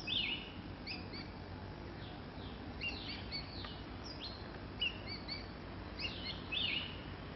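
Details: Common green magpie on Old Pump House Road, Pahang, 24 August 2002, seldom seen there, giving sharp, high, slurred notes in short bursts every two seconds or so over a steady hiss of forest insects.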